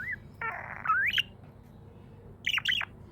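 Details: Happy pet budgerigar: a short whistle, then a harsh buzzy squawk sliding into a rising whistled note, and a final pair of quick warbled chirps, over a low hum.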